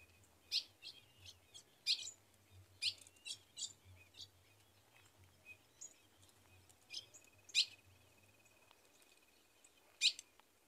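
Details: A female ultramarine grosbeak in the caatinga of Rio Grande do Norte, Brazil, calls to excite the male and solicit mating, giving sharp, high, metallic chips at an irregular pace, some in quick pairs, over a faint low hum.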